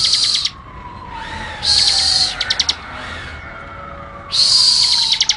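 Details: Active Bar-winged prinia in tutor-recording song: buzzy, high, sizzling bursts mixed with quick ticking note series, three phrases with pauses between. A faint, descending whistle-like tone runs in the background.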